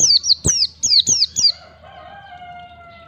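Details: White-eye (pleci) singing wild-style ngalas phrases meant to train young birds; six bright, high descending whistles in a rapid run, then a steady low drawn-out tone continues in the background.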